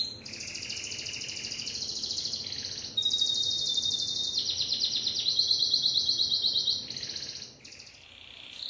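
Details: Continuous Timbrado canary song of rolling, water-like trills at several pitch levels, each tour held one to two seconds, ending after a short pause with another trill.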